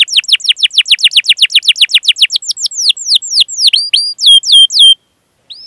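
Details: Chattering canary song used as a lure for young canaries: rhythmic run of downward-sweeping whistles about four per second, slowing into fuller hooked notes, ending in silence and one soft upslur.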